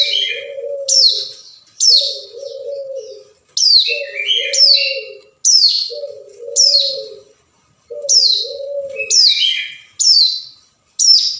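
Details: Hill prinia summoning a rival, played as a lure: loud, high, rasping notes falling in pitch, repeated at an uneven one-second pace, with lower chattering slurs and a dove cooing steadily beneath.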